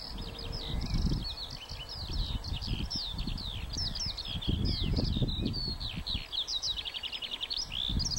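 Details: Skylark song recorded at Warfield, 1st of May 2013, a long unbroken flow of rapid, twittering high notes and slurred trills over loud low wind noise.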